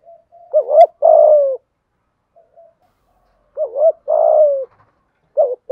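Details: Low "thúc gù" coos from a spotted dove in the "giọng thổ" style, "hạp bổi" voice. Two full phrases of a quivering short note and then a longer, downward-sliding coo, spaced about three seconds apart. A third phrase starts at the end.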